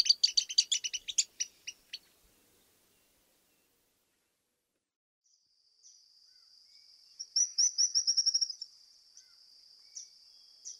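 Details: Stripe-crowned Spinetail: a rapid, high, dry trill of about a second and a half, following a burst of different, lower chattering notes, then a pause with a faint steady high hiss.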